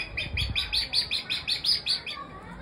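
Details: Crowned hornbill calling, heard on Hornbill Day, March 1st: a series of about ten evenly spaced, harsh, nasal notes repeated roughly four times a second, ending with a faint softer sound.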